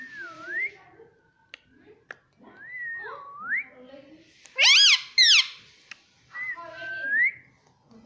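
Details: Pet ring-necked parakeet indoors giving wavering whistled slides that dip and rise, a loud burst of two harsh harmonic squawks in the middle, then a softer rising whistle; faint low room murmur underneath.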